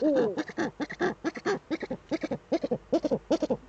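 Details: Two Eurasian eagle-owls together in their nest hollow, filmed by a webcam on 6 March 2013; fast series of short, throaty, harmonic clucking notes, some in quick pairs, opened by a longer slurred wavering note.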